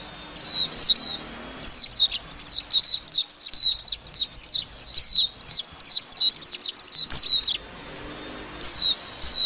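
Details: Chirpy white-eye song: a long, rapid, unbroken chain of high, sharply falling twittering notes lasting about six seconds, with a few separate notes before and after.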